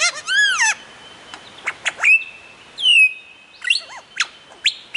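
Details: Lyrebird on a mound near Warburton, Victoria, mimicking several other birds: rich harmonic arched notes, a long steady whistle near the middle, sharp clicks and slurred downward whistles in quick varied bursts.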